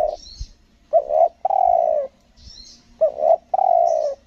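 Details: Spotted dove calling during a Lombok trapping session, stuttering selang nguku gagap style: paired short coos followed by a long steady falling coo, heard twice, with brief high chirps from another bird in between.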